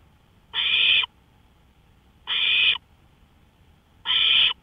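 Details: At 1:53 AM on May 5, 2013, an owl on a porch gives three raspy, noisy screeches, each about half a second, spaced nearly two seconds apart, with only faint background hum between.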